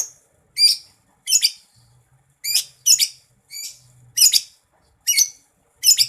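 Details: Greater green leafbird (cucak ijo), kept as a contest songbird, giving short, sharp, harsh chattering bursts spaced irregularly about once a second, with silence between them.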